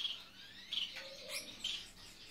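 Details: Courting Gouldian finch choosing a mate, dance display: three short, bright, high chirps spaced under a second apart, with a faint lower note between them.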